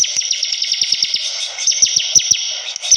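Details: Bar-winged prinia singing steadily: a dense stream of quick, high, slurred chirps punctuated by sharp clicking ticks, over a continuous shrill hiss.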